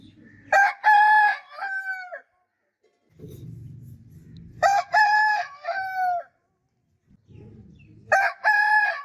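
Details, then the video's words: Rooster crowing: a loud, harmonic cock-a-doodle-doo with a falling, drawn-out final note. It is given three times, about every four seconds, with soft low clucking murmurs between the crows. "Rooster Crowing Sound Effect Continuously"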